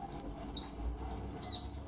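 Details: European goldfinch on a rainy day giving a quick run of four high, sweeping twittered notes, each rising then falling sharply, roughly three per second, bright and thin.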